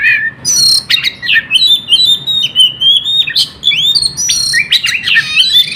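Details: White-rumped shama kept in a cage, singing continuously as a lure for other birds: rich sequence of clear whistles, rapid high clicks and rising slurred notes, repeated in quick bursts over a low hum.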